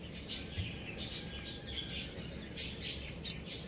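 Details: Buff chicks peep in loud, high, downward-sliding chirps that come in clusters about every half second, with quieter peeps from other chicks between them.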